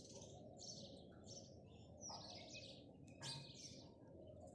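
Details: House sparrow in the morning, giving short bright chirps in small bursts, some rising and falling, over a steady low background hum.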